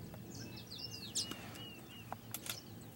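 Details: Male southern masked weaver weaving nests, Pilanesberg National Park, South Africa, 7 January 2013: quick run of buzzy sizzling chatter with thin whistled slurs and sharp ticks over low outdoor rumble.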